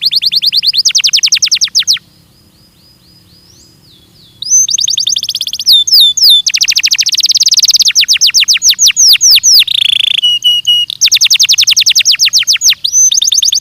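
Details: Belgian canary singing in a training recording, a varied high song of fast repeated trilled phrases, a brief pause, then rolling trills, sweeping whistles and a rattling buzz, with phrases changing every second or two.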